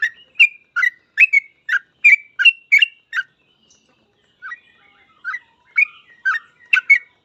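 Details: Rapid run of about ten sharp chirped notes from a yellow-vented bulbul in 'gacor ropel' song, then a pause of over a second, then a softer, more scattered chirping phrase.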